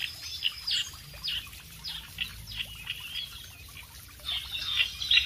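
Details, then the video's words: Clamorous Reed Warbler singing actively, a fast run of harsh, high, downslurred chattering notes, about two or three a second, over a faint steady hiss; recording meant as a master track. "suara burung kerakbesi gacor"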